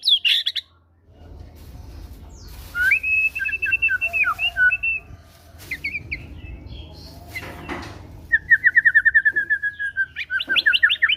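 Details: Rich white-rumped shama song used to coax a caged bird into singing, with rapid trilled and warbled phrases, a brief sharp crack, then a fast buzzy rattle of repeated notes over a low background hum.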